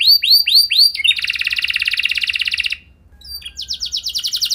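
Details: Canary song used as a training lure for other canaries: several rising sweeps, then a long fast buzzy trill, a brief pause, and another high rapid trill.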